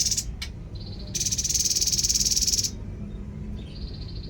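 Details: Babbler (tepus) delivering a sharp buzzy note followed by a long, fast, evenly pulsed rattle of about a second and a half, with a steady high whine continuing afterward.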